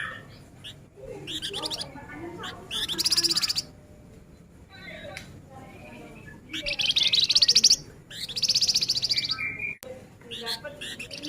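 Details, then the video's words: Rapid, closely packed singing from a male flamboyan in the gacor nyerecet style, with several bursts of high, fast-pulsed trilling, each around a second long, separated by softer chirps and brief pauses. "Suara Alami Flamboyan Jantan Gacor Nyerecet Rapat"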